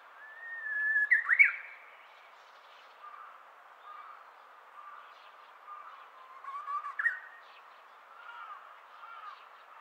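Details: Japanese bush warbler in early morning, 2023's first song: an opening sustained whistle ending in a sharp rising flourish, followed by soft repeated low notes and a second flourish midway.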